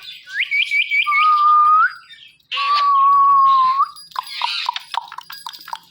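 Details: Pet Ringneck parrot talking into a phone: a quick bouncing trill of chirps, then two long steady whistles rising at the end, followed by scattered clicky chirps.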